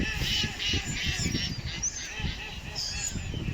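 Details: Ducks calling in a fast run of short, nasal, harsh notes, about three per second, over a constant low rumbling background.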